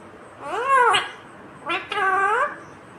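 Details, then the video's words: ['Indian ringneck parakeet, green, speaking in a room: two drawn-out, nasal, word-like utterances with arched harmonic pitch, the first rising then falling, the second dipping and climbing.'] "Natural Sound of Talking Ringneck green parrot 🦜 Original audio 😯 Indian Ringneck Parrot 🦜"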